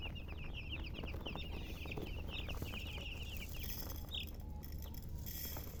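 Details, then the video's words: High chicken chirps pour out densely for the first few seconds, then thin to scattered peeps as rustling, hissy noise rises, all above a low background rumble. "silly chicken chirping sounds"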